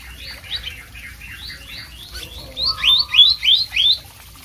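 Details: Blue whistling thrush in vigorous song. Soft, slurred rising notes lead into five louder upslurred chirps given in quick succession.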